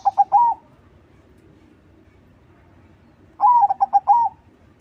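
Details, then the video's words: Crossing-style Zebra dove song used to lure other doves. One cooing phrase ends at the start, and a full phrase follows after a quiet gap: a long note, three short pulsed coos and a trailing final note. "SUARA PERKUTUT CROSSING GACOR TERBAIK UNTUK PANCINGAN"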